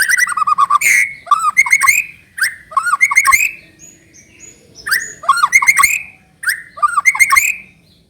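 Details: White-rumped shama singing as a lure to trigger another bird: repeated bursts of loud fluty whistles and chattering notes, each phrase lasting about a second, with brief quiet gaps between.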